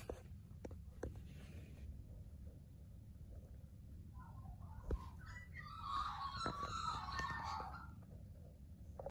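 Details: Singing magpies, faint ticks at first, then a swelling run of mellow, warbling and gurgling notes in the second half, set against a constant low background hum.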